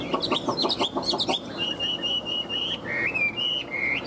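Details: Caged Chinese hwamei from Vietnam, in breeding condition: a burst of short, rough clicking notes gives way to long, steady whistled tones that waver slightly and step down in pitch, delivered at an even pace.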